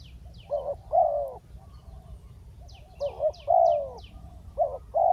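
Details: A decoy spotted dove calls a wild bird down to the ground with bursts of short, throaty, low coos in paired and grouped notes. Thin high chirps from small birds come through behind a constant low background hum.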